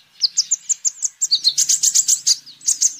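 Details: Singing sunbird, a recording for luring birds and tutoring their song: a quick series of sweet high whistled notes, then a dense fast twittering run, with a faint low hum underneath.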